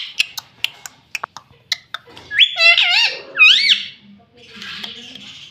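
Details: Rose-ringed parakeet kept at home, saying "mummy". Sharp tapping clicks come first, then two nasal, bending, harmonic phrases, followed by a soft hiss and low background sound.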